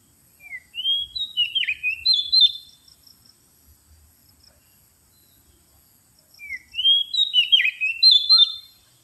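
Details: Oriental magpie-robin lure sound: two loud bursts of rapid, twisting whistled and warbled phrases separated by several seconds of near silence, with a faint steady high tone.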